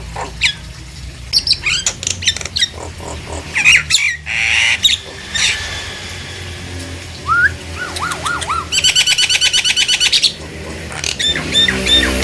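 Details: Nias hill myna, played to stir silent mynas into singing: scattered harsh notes and squawks, a short series of looping whistles, a long rapid rattling trill, then sharp high calls.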